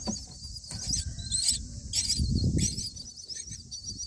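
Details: Begging of Common myna nestlings, day 9, as the father arrives with a grasshopper: a continuous high, harsh wheezing chatter swelling in surges, over heavy low rustling and thumping from movement in the nest.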